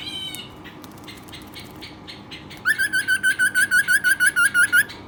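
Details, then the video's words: Pet Western rock nuthatch giving a fast run of loud, rising whistled notes, about three per second, after a quieter burst of buzzy chirps; faint pulsed ticking runs underneath. "Rock nuthatch pet bird"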